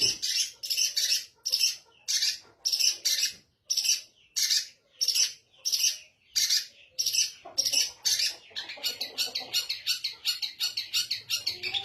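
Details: Caged long-tailed shrike with its cover opened, uttering loud grating rasps in a steady series that speeds up over the last third into rapid, stuttering bursts.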